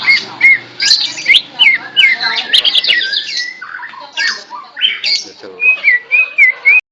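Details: Greater green leafbird, tame and singing vigorously despite being held in a hand: rapid mixed whistles and chatter over a faint low hum, ending in a series of clear, repeated, downslurred whistles.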